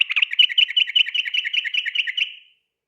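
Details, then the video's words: Night song of a trucukan, the yellow-vented bulbul, in fast ropel style for training birds: a rapid, even, bubbling trill of bright notes lasting over two seconds before fading. "burung trucukan ropel ngotot dimalam hari cocok buat masteran agar cepat ropel malam"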